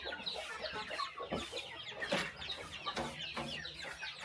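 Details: Small countryside chicken farm in the morning as birds are fed; busy flock clucking with short chirps and a few sharp knocks or pecks punctuating the chorus.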